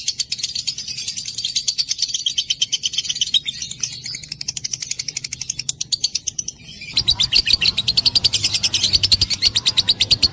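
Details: A lovebird's ngekek long chatter: fast, steady high chips rolling on for several seconds, briefly thinning, then resuming louder over a rougher low rumble.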